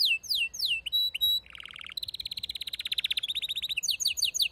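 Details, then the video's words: Domestic canary song, with a female's mating call and a male singing: swooping downslurred whistles and short pips, a lower buzzy section, then a long fast trill ending in high stuttering notes. "صوت طلب إنثى الكناري التزاوج مع غناء فائق الروعة لذكر"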